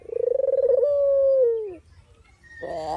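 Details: Dove (puter/deruk) sound used as training filler, lure and decoy for trapping: a quick throbbing trill rising into a long level coo that sinks at the end, then a rough burst begins after a short silence.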